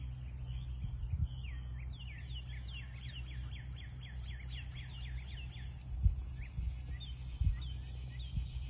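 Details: Black-bellied whistling ducks in Louisiana give a quick run of high, squeaky whistled notes slurring downward, then a few scattered ones, over a steady low rumble of wind.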